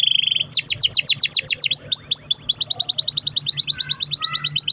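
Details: Canary in vigorous song, a long roll used to prompt other canaries: a short buzz gives way to a long series of rapid, steeply falling chirps repeated several times a second, over a low background hum.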